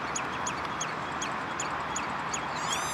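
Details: Common redshank, Naaldwijk, Netherlands, June 2013: about seven sharp descending notes in quick succession, ending in an arched, ringing call, amid constant broadband noise.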